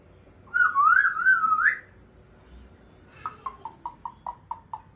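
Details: Pet African grey parrot indoors, making sounds while trying to speak; a warbling whistled phrase wavering and rising at its end, then a run of eight short evenly spaced downslurred whistles.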